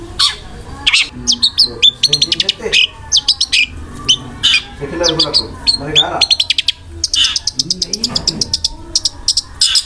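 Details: Long-tailed shrike in prolific song with harsh fillers and rapid-fire tembakan roll speed notes. Dense chatter mixes scratchy bursts, fast stuttering trills of clicking notes and varied squeaky phrases almost without pause.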